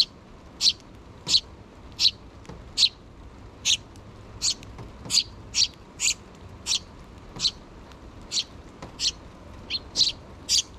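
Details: A steady series of about fifteen harsh, buzzy high chirps, each brief and evenly spaced under a second apart, from two nestling sparrows still begging their parents for food, mother bird nearby, recorded 6 June 2023.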